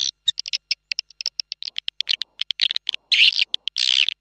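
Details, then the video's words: Swiftlet calling sound of the 'ratu' (queen) lure type: fast series of dry clicks and short buzzy chirps, accelerating into longer harsh rasping bursts near the end. "Suara panggil ratu berdaun suara panggil burung walet"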